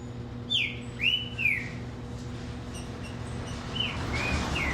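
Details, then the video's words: A green-winged saltator sings rich arched whistles, rising then falling, spaced about half a second apart, and resumes with a similar pair of slurred notes after a pause, with faint chirps and low hum behind. "TRINCA FERRO ,os melhores Cantos reunidos nesse vídeo"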